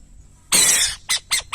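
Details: Burrowing owl: a half-second harsh, hissing screech, then two short, scratchy rasps in quick succession.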